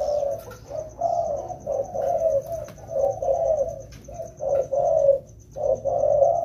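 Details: In the rainy season, a pair of wild-caught spotted doves in training call with deep, mellow coos. The bursts come unevenly, some long and some clipped, over a faint, even high-pitched ticking.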